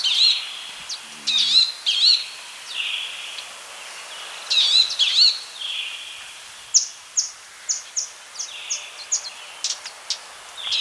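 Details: Palestine sunbird singing a series of high, sweet chirps and twittering notes, then a run of sharp, evenly spaced ticks, over a faint hiss.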